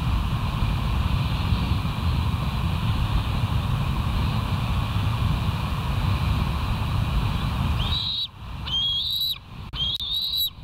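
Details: Bald eagles at the West End nest on 28 July 2023 at 05:13: after about eight seconds of heavy low wind rumble, a series of high, thin, whistled calls starts, each rising then holding, repeated in quick bursts.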